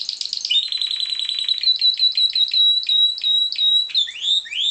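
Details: Pied Timbrado canary, bred in captivity, delivering a rolling song: a quick stuttering trill that smooths into a long, level, ringing tone with pulsed accents, then ends in sweeping upward whistles.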